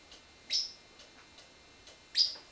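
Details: Pacific Parrotlet, an eight-year-old male, being trained to step up indoors; two sharp high chirps about one and a half seconds apart, with faint softer ticks between them.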